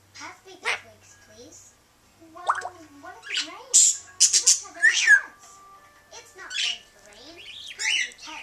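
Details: A female African grey parrot, running through a slew of her favourite sounds, imitates the household cat's meow for the first time: rising and falling nasal cries mixed with squawks.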